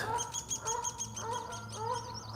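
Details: Two pairs of Canada geese in a territorial dispute in a flooded riverside forest near Montréal, calm, chilly spring day, 25 April 2026: loud, nasal honks, several overlapping calls each second, over a faint low rumble.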